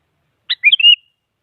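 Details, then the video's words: One short phrase by a sooty-headed bulbul, offered as a rival lure so a silent bird will sing: an abrupt chip, then a bubbly series of three whistled syllables, the last held and falling away. "Suara Burung Kutilang Mengajak Lawan Agar Bunyi Bikin Kutilang Diam Semangat Berbunyi"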